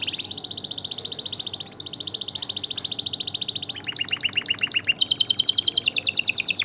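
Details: Canary song of long rapid rolling trills, switching after a few seconds to a choppier descending tour and then a very high fast trill, loud and continuous.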